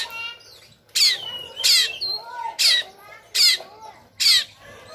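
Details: Sumatran-type Oriental magpie-robin, tail spread and fighting, giving harsh 'shot' song: five loud rasping bursts at fairly even intervals, with soft whistled slurs and lower warbles between them.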